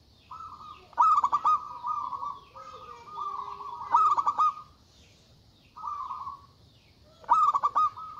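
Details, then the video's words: Agitated zebra dove of local stock calling loudly to challenge rivals: three bursts of pulsed, stuttering coos over about eight seconds, linked by steady droning tones. "Suara Burung Perkutut Lokal Gacor Suara Besar Ampuh Memanggil Lawan Bunyi Emosi"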